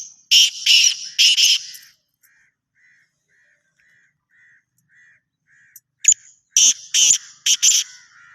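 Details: Black francolin (Francolinus francolinus) giving two loud, harsh, grating phrases of four or five rasping notes each, separated by a few seconds of soft, faint whistled notes.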